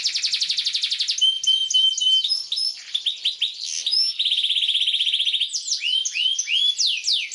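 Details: Canary song for teaching young canaries: a fast pulsing trill, a steady whistled tone with rising notes, a long dense trill, then several loud swooping downslurred notes.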